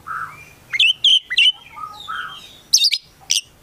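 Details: Caged Oriental magpie-robin, a prospective contest bird, singing in a rich varied style. Mellow low whistles alternate with short bright chirps and a few high, piercing notes, separated by brief pauses.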